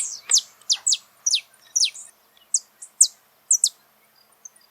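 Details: In nature, a saffron finch sings a string of clear, high falling chirps roughly twice a second, each note sliding downward, ending in a brief pause and soft faint notes.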